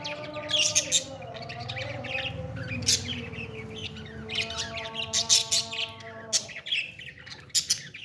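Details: Parrot chick during feeding: a rapid series of harsh, scratchy chirps, denser toward the end, with droning background music underneath.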